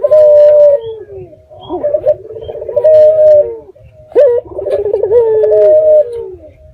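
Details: Night lure of a local red-eyed dove intended to make other doves reply: two loud phrases of rolling, purring coos ending in drawn-out steady notes, with a pause between them.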